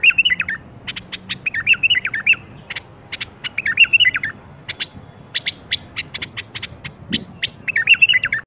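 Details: Bulbul birwaz used to get other bulbuls singing: four short whistled warbled phrases recur at regular intervals, each answered by bursts of quick sharp chirps, over a low background.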